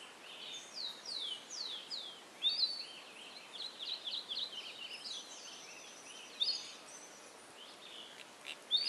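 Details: A Chestnut-crowned becard (Pachyramphus castaneus) building its nest at RPPN Corredeiras do Rio Itajaí, Itaiópolis, Santa Catarina, Brazil, calls with clear, high whistled notes sliding downward in quick runs, with sharper chips between them, over soft hiss.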